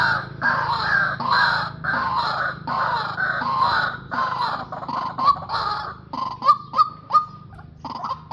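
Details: White-breasted waterhens, a male-and-female decoy pair used in trapping, give harsh, grating croaks in rhythmic bursts for about five seconds. Clearer, short hollow yelping notes follow, spaced irregularly, over low background hum.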